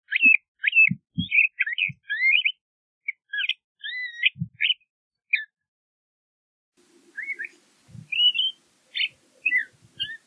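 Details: LeConte's thrasher singing a varied run of short whistled and slurred phrases, some rising, some warbled, broken by a pause midway, with a few soft low thumps in the background.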